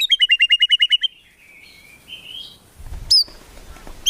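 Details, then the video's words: White-rumped shama in a songbird-training recording, song full of rapid burst phrases (isian tembakan) with no low clucking notes: a fast run of about ten sharp repeated chirps, then softer rising whistles and one high slurred note. "MURAI BATU GACOR FULL ISIAN TEMBAKAN MEWAH GAK ADA NGUKLUK NYA"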